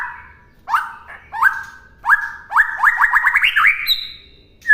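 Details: White-rumped shama song meant for other birds to learn: separate sliding whistles followed by an accelerating series of quick upward-flicked notes ending in a sustained high tone.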